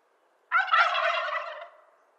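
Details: Wild turkey giving one full gobble, a sudden, loud, gurgling rattle of over a second that trails off slowly into silence.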